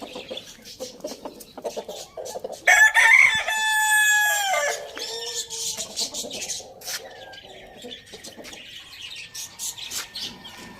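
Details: Roosters eating tomato on a village farm; one gives a loud, drawn-out crow of about two seconds with a ringing, harmonic tone that falls at the end. Rapid clucking and pecking noises surround it.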